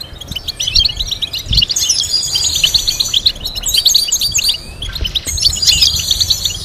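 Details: Goldfinch melody used to teach the bird to sing, a steady stream of quick liquid chirps and twitters, with sustained high tinkling tones overhead and short pauses between phrases.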